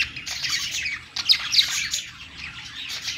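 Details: Budgies on a perch singing together, a busy stream of quick chirps, squeaks and scratchy chatter, with a couple of brighter sharp notes in the middle, no pauses.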